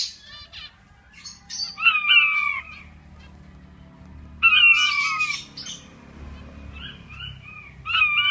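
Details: Aviary king quail giving drooping whistled calls that slide downward, two main bouts separated by quieter gaps, mixed with scratchy chatter and a faint low background rumble.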